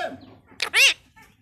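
A rose-ringed parakeet speaks a single quick, raspy word with a rising then falling pitch. A softer murmur comes before it and a faint squeak follows.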